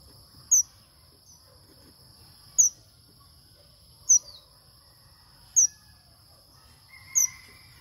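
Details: Five short, piercing high chirps from a male red avadavat, evenly spaced about every one and a half seconds, against a quiet low hum and a constant thin whine.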